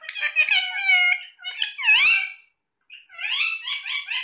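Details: Several parrots in cute conversation while eating apple; loud, rich chatter with curving, bending tones in quick runs, a brief silence, then repeated pulsed syllables resuming.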